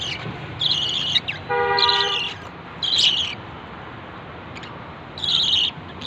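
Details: Lovebird producing a few short, shrill, scratchy chirp bursts separated by pauses, with a brief steady tonal hum in the middle and low background noise.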